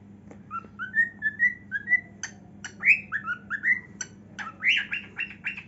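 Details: Dancing cockatiel sings a run of clear whistled notes, each sliding upward, broken by a few sharp clicks, then finishes with a burst of harsher, buzzy squawks.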